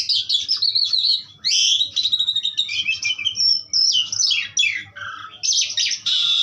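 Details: Asian pied starling in powerful song, a loud continuous stream of varied whistles, harsh chatters and quick downward-sweeping notes with short pauses between phrases.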